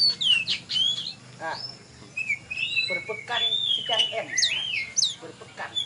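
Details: Oriental magpie-robin, a contest champion at Tebas, sings rich whistled notes: long slurred tones, wavering glides and sharp chirps in short bursts. There is a brief pause, then the song resumes over faint background noise.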